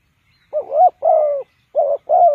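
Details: Spotted dove serving as a trap decoy utters four hollow, mellow coos in two pairs, the first rising slightly, the second long and level, close and clear.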